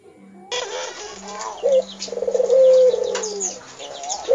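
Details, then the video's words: Barbary dove kept at home, calling actively: a sharp short note followed by a low, rolling, pulsed coo that swells and then fades, with a faint steady hum in the background. "Burung Puter gacor auto nyaut"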